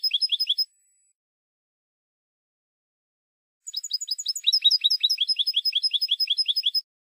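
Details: Spanish goldfinch song used among silvestrismo fanciers: a short burst of quick twitters, a silence of about three seconds, then a long rapid series of high, ringing, evenly repeated notes.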